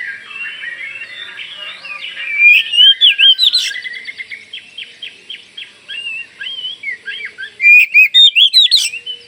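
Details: Oriental magpie-robin of the Kalimantan type singing energetically to prompt other magpie-robins to answer: a varied run of clear whistled phrases, rapid upslurred notes and buzzy flourishes, with loud bursts and short pauses between.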